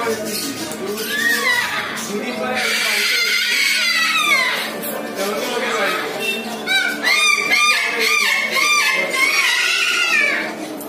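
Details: Male and female eclectus parrots calling, a run of harsh, honking, arched squawks repeated in quick bursts, with overlapping voices that sound like speech nearby.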